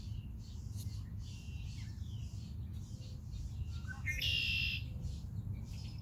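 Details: Red-winged blackbird at Rehoboth Beach, Delaware: a few short low notes lead into one harsh, buzzy trill lasting about half a second near the end, over a steady low rumble of surf and wind.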